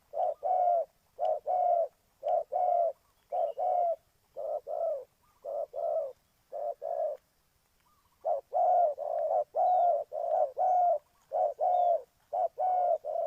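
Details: Spotted dove from Ninh Thuận, used as a decoy for trapping, calling in low, hollow coos; paired and tripled notes repeat in steady phrases, roughly one per second, with a short pause midway and a quiet background.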